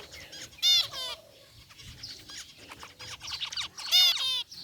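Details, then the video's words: In a cage, a group of white and gray zebra finches calls with bold nasal beeps, one near the start and another near the end, separated by quieter twittering and soft ticks. "Cute Zebra Finches in Aviary | Relaxing Bird Chirping Sounds"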